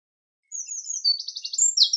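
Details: Winterkoninkje, the wren, delivering its shrill, fast song: high whistled notes, a rapid trill, then sharp ringing phrases, with a clean silent background.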